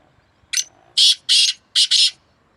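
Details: Two black francolins calling against each other in a fierce contest, May 2024: a short opening note, then loud, harsh, buzzy grating bursts in quick pairs.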